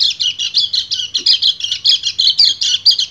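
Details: Male white-eye calling a breeding-condition female with a fast, busy warble of high, jumbled chirps and twitters delivered in quick pulses.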